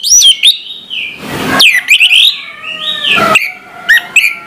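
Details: Orange-headed thrush singing in the morning: looping slurred whistles rising and falling, interrupted by rushing noise, ending with short sharp chips.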